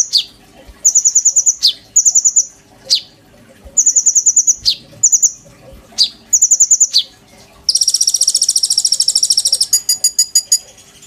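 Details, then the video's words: Oriental magpie-robin singing with mimicked phrases, used as a master song for training kolibri ninja birds: high rattling trills and sharp chirps, ending in a long, dense, buzzy high trill followed by a rapid ticking series. "PANCINGAN KONIN GACOR FULL NEMBAK ISIAN TONJOLAN MEWAH, COCOK BUAT MASTERAN KOLIBRI NINJA BAHAN"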